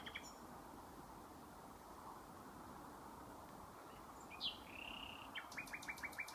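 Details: Common nightingale singing at night at Thorpe Marshes, Norwich: a long steady whistle, a sharp rising note, then a quick run of five or six repeated clipped notes over a constant background hiss.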